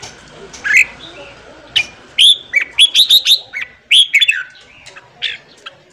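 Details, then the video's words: Red-whiskered bulbul singing in the morning, used for song training: bright whistled phrases with sharp rising and falling notes in quick bursts, some buzzy trills, set against a quiet background. "luyện giọng chào mào hót sáng"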